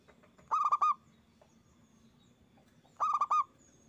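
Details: Local Indonesian zebra dove (perkutut), loud-voiced singer used as a lure to stimulate other doves to sing: two short bursts of four or five rapid, rounded cooing notes about 2.5 seconds apart, over a faint low background hum.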